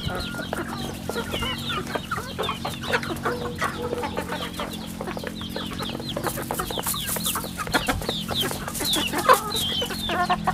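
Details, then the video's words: Chicks on a rural home chicken farm cheeping continuously, many short high chirps overlapping in a dense chorus, with a steady low mechanical hum beneath. "Good chicks sounds in the farm"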